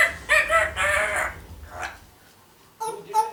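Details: Female African grey parrot, one year old, kept at home and blabbering copied words; a couple of hoarse, drawn-out speech-like syllables, a quiet gap, then two short sharp notes.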